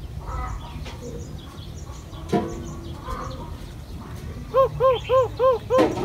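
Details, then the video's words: Talking bird imitating human speech: after a stretch of low rumbling background and scattered faint chirps, five evenly spaced, arched, harmonic syllables ring out near the end, like a repeated 'papa'. "Con chim biết nói | chim nói tiếng người nghe rất rõ"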